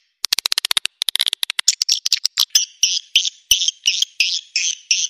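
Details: Swiftlet lure sound meant to make edible-nest swiftlets stay and roost: quick dry clicks speed into a rattle, then give way to evenly spaced, twangy chirps.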